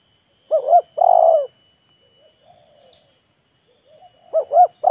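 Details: Wild spotted dove and decoy dove showing off their calls, teasing and luring each other. Two loud cooing phrases, each two quick looping notes and a drawn-out hollow coo, with soft murmured coos in between.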